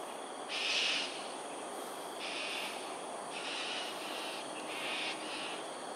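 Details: Singapore, Sungei Ulu Pandan, 13 January 2022, 7.43am, cockatoos flying in aerial display: a loud raspy screech opens, followed by four softer harsh squawks spaced about a second apart against constant background hiss.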